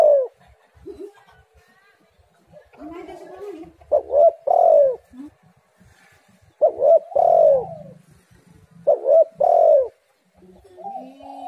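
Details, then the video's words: Spotted dove call played as a lure to set doves singing: repeated phrases of two quick clipped coos and a drawn-out falling coo, arriving every two to three seconds, with softer low murmuring between phrases. "tekukur super gacor suara yang di nanti nanti semua burung"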